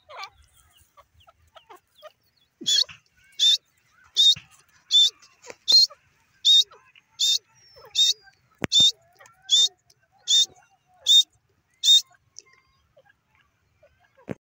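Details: Grey francolin (dakhni teetar) giving a long, steady series of about fourteen loud, harsh, high-pitched notes, roughly one every 0.7 seconds. Faint clicks and light background noise are heard before and after.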